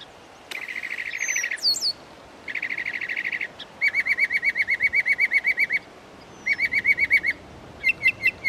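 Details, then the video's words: At Belle Isle Marsh Reservation in East Boston, Massachusetts, a northern mockingbird runs through borrowed bird songs: high rapid buzzy trills, then a long series of fast repeated chirps, more trills, and a few sharp high notes, in a fairly quiet setting. "Northern Mockingbird bird songs"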